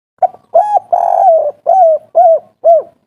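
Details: Agitated spotted dove 'kuk 3' call, meant to lure other doves into answering: a soft opening note, a long husky coo, then three separate rounded hoots about half a second apart, each with a falling tail.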